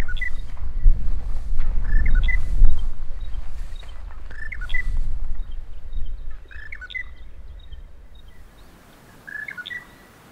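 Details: Monotonous Lark in Namibia during a wet breeding year, singing all night and on into the morning, at first mistaken for a nightjar. It repeats a short phrase of clipped, slurred notes every second or two over low rumbling wind or traffic noise.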